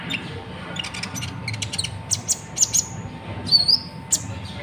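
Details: High, thin twittering from a konin sunbird of Natuna, meant as a teaching voice for other birds: rapid clicks building into clear sharp chirps and short whistled slurs, with a faint hum behind.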